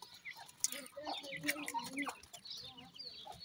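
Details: Francolin chicks being fed, with thin high chirps and soft mid-pitched trilled notes, several curving peeps, and occasional sharp taps against a noisy background.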